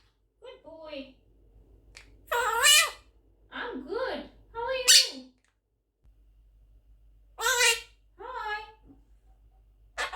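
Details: Pet Quaker parrot, 11 months old, speaking in a room: clusters of clipped, word-like syllables with a nasal, buzzy tone, a sharp squawky burst near the middle, then a pause and two more short phrases.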